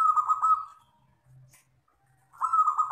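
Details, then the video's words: Zebra dove of local wild stock in long "kristal" style song: a rapid throbbing, rolling coo on a steady pitch, a pause with a faint low hum, then the same pulsing coo resumes. "perkutut lokal alam gacor ( suara kristal panjang )"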